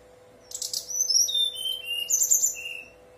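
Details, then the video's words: Whistling Brown-chested jungle flycatcher in full, frequent song, played to coax birds into replying: a rapid string of very high, clear whistles stepping down in pitch, a sparkling high flourish, then a lower fading note. "Pancingan SRDC bahan biar nyaut dan bunyi, SRDC nyuling gacor"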